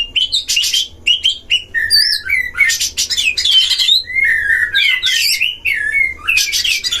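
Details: Oriental magpie-robins dueling in a breeding cage, their song used as a lure to rouse other magpie-robins: varied clear whistles, sliding notes and harsh rasping bursts alternate rapidly, with short pauses between phrases.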